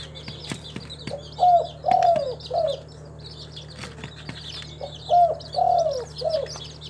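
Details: Spotted dove, a local tekukur kept in a collection in Timika, Papua, giving two three-part cooing phrases, each a short coo, a longer slurred falling coo and a final short note. Small birds chirp and twitter at high pitch throughout.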